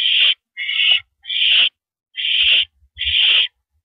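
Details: On a porch perch at 8:17 PM on April 9, 2012, an owl on a live camera gives four coarse, breathy screeches, each about half a second, separated by irregular pauses, with soft low thuds between.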